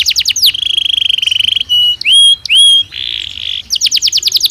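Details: Belgian canary singing naturally: fast trills, a sustained buzzy roll, pure whistled notes and upward slurs, then a closing series of rapid repeated notes.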